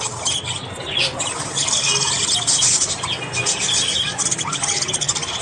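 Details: Morning sound of budgerigars: overlapping high scratchy chirps and squawks from several birds, steady and loud, with a few short whistled notes.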